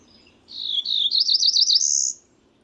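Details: One Cerulean warbler song: a few slurred buzzy notes lead into a fast, wavering series that climbs in pitch and finishes with a sustained high buzz. Quiet background.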